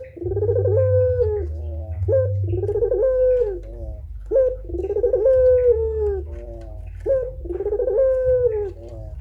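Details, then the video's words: Puter pelung turtle dove cooing tirelessly as a training recording: four long phrases, each a short lead note, a drawn-out falling mid-pitched coo and a quick trailing flourish, repeated roughly every two seconds over low background hum. "suara burung puter pelung gacor tak terbendung"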